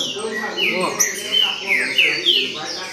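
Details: Green-winged saltator singing in the baderna style: a run of loud, clear, downslurred whistles, each dropping sharply, with sharp clicks and a low murmur underneath.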